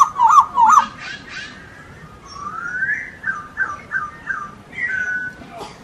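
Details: Masked laughingthrush singing: two wavering whistles, then softer rising and falling slurred notes and short whistled phrases, quieter overall with a faint low background hum.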